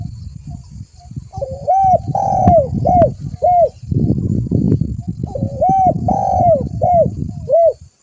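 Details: Spotted dove used as a lure, short arched cooing notes in two bursts of three to four over steady low rumbling background noise.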